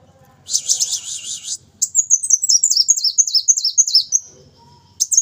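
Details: A brown-throated sunbird opens with a dense buzzy trill, then pours out a rapid series of high, sharp, slurred notes for over two seconds before a brief pause and a fresh note.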